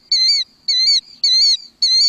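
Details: Killdeer giving its alarm call, used when predators approach its nest: four shrill, high, slightly buzzy notes, evenly spaced about every half second, over a silent background.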